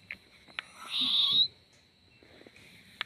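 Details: Swaying owlet giving a single strong, rough hiss of about half a second, framed by a couple of sharp clicks.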